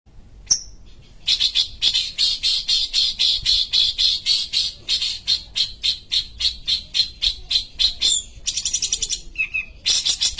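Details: ['Long-tailed shrike (pentet or cendet) from Sumatra, a kept songbird valued as a tutor bird, singing busily: a fast run of harsh, buzzy broadband notes, nearly four per second, with a thin whistle at the start and a shift in pattern near the end.']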